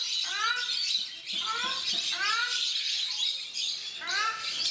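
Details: Captive ruddy shelducks (Brahminy ducks) at Mysore Zoo, India, giving repeated rising, nasal honking calls in groups of three or four, roughly once a second, with noisy high-pitched bird chatter behind them.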